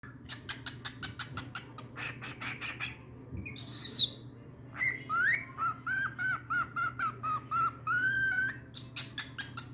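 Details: A six-month-old young male cockatiel, already keen to sing, gives a chattering, whistled song of quick chirps and repeated warbling notes.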